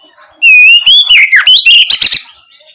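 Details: Oriental magpie-robin singing ngeplong gacor style as bait for young birds to answer: one loud phrase, a steady whistle that climbs, breaks into wavering downslurred notes and ends in a rattle of quick high chips.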